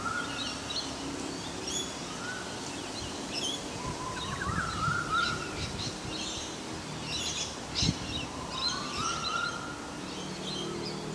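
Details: One of a pair of Olive-backed orioles, a species described as an excellent mimic and ventriloquist; mellow rolling phrases rising in pitch, twice, with higher chirps of other birds and outdoor background noise.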